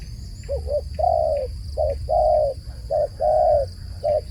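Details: Dove calling with a rhythmic pattern of two clipped hoots then a longer level coo, repeated three times, over a low hum and a thin high tone.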